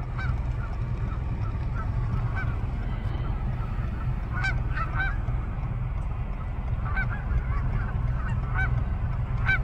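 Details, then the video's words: Canada geese at twilight, several birds honking in irregular bursts, some honks overlapping in pairs, against a constant low rumbling background. "Canada Geese at Twilight"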